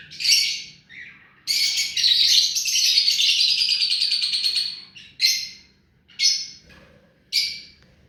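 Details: Hand-tamed rose-ringed parakeet delivering a long, harsh, buzzing screech lasting over three seconds. Three short, sharp screeches follow, spaced about a second apart.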